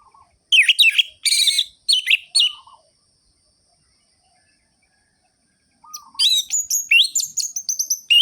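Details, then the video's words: Orange-headed thrush in gacor song to provoke other thrushes into singing: loud, rapid high whistled phrases for two seconds, a silent gap with soft low notes, then a fresh run of quick rising slurs. "ANIS MERAH GACOR ABIS untuk pancingan bunyi burung anis merah yang loyo"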